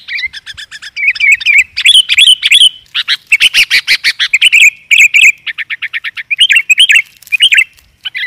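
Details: Sooty-headed bulbul lure recording meant to attract wild bulbuls: a fast run of bright, bubbly chirps and short whistled phrases, loud and continuous, with no other sounds behind.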